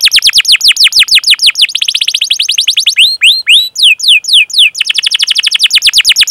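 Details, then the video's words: Canary training song with continuous rolling chirps: fast descending high notes in long repeated runs, shifting speed between quick rattling trills and slower spaced sweeps, nothing else audible. "Masteran Suara Burung Kenari Gacor Panjang cuit cuit Ngerol untuk Pancingan Kenari!"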